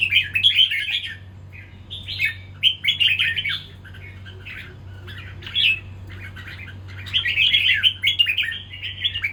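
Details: Red-whiskered bulbul in a fighting bout gives loud squawky, chattering phrases in clusters separated by brief pauses, harsh and scratchy notes mixed with twittering, with a constant low hum in the background.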